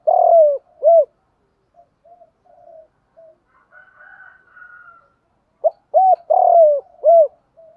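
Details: Cooing spotted dove in the 'hạp bổi' call style for training males: a loud burry coo and arched note, a quiet gap with soft murmurs, then another full phrase of clipped, rough and rounded coos.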